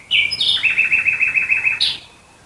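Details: Night song of a nightingale near Dresden, Germany: a loud opening note, then a fast even series of about ten repeated chirps, ending in a bright higher note.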